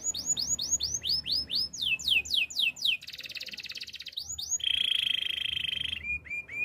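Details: Belgian canary training song: rapid repeated downward-sweeping whistled notes in quick rolls, then a buzzy rattling passage and a long steady high trill, ending with short chirps.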